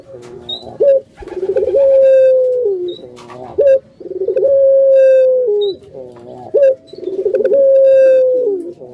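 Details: Barbary dove (puter) of the pelung style, a kept bird: a sharp rising note, rolling coos, then a sustained flat tone ending in a drop, cycling three times with faint squeaks.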